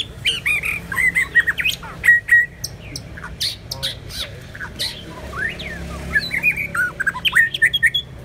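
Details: White-rumped shama pouring out loud whistled phrases, sharp chips and slurred notes in bursts with short pauses, over a low background hum.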